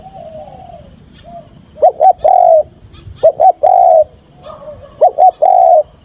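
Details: Spotted dove calling to lure birds for trapping: a quiet coo, then three phrases of two clipped coos followed by a longer sustained note, each about a second apart.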